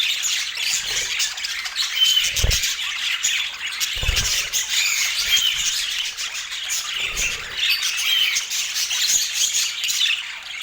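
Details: Colourful rainbow budgerigars kept as pets, eating sweet apple and making soft sounds; steady high chirping and scratchy warbling overlap throughout, with a few dull low thumps near two, four and seven seconds.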